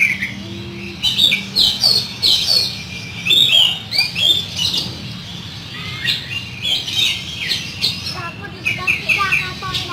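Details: Oriental magpie-robin giving rough fill-in song used for training: bright, varied whistled and scratchy phrases in rapid bursts, over a low hum, with a man's voice briefly afterwards.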